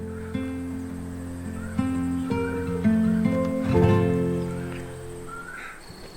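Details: Plucked acoustic guitar notes and strummed chords ring out with sustained low tones, with no animal voice present.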